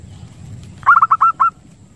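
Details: Zebra dove lure call from Lampung, used to attract zebra doves and stimulate breeding: a single quick burst of six clear, mid-pitched cooing notes lasting about half a second, over a faint low hum.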